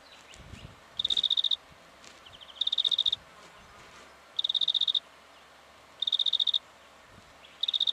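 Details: Black-fronted dotterel in Victoria, Australia, recorded October 2011, giving five brisk trains of sharp, evenly spaced ticks, one roughly every one and a half seconds, against low rustling background noise.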